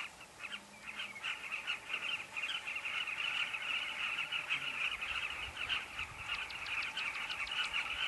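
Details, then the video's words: Many carmine bee-eaters calling together at their colony at Kavinga Safari Camp, a continuous babble of throaty, trilled notes repeated rapidly and irregularly, with a few sharper clicks toward the end. "Carmine bee-eater colony"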